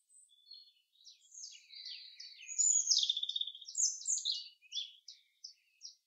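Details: Common chaffinch singing in a forest: a dense, fast, high-pitched phrase of chirps that falls in pitch over about two seconds, followed by a string of short, separate, sharp notes fading out.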